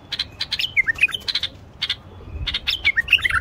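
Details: Common bulbul male, Moroccan, singing to stimulate wild bulbuls to sing and mate: busy chattering chirps mixed with short slurred whistles, twice, against a steady rumbling background.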